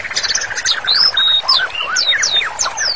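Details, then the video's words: Vigorous white-rumped shama singing as master song for therapy: busy low chatter followed by clear, varied whistled phrases that slide downward and upward, loud and rich. "MURAI BATU GACOR, MASTERANNYA COCOK BANGET UNTUK TERAPI"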